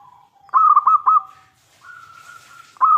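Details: Vocal local zebra dove, used as a lure to draw replies from other zebra doves, giving a loud, fast run of soft cooing trills on one pitch, then a long level note and another trill.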